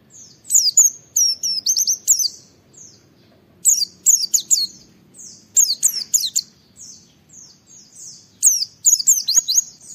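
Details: Caged Oriental white-eye (pleci) singing hard to challenge rivals and trigger other white-eyes to sing: dense clusters of very high, thin, rapidly falling whistles in bursts of several notes, with short pauses between phrases.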